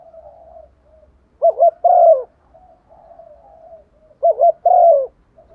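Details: Female dove cooing to draw in a male, used to lure wild males; soft low murmurs between two loud coo phrases, each a quick double note followed by a long, falling coo.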